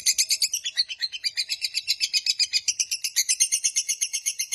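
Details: Lovebird giving a long, fast ngekek trill meant to lure and train lovebirds: continuous shrill rasping notes at about four per second, loud and steady the whole time.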